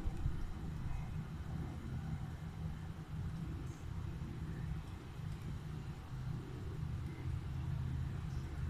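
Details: Continuous low engine and traffic rumble outdoors, steady throughout, with no animal calls heard.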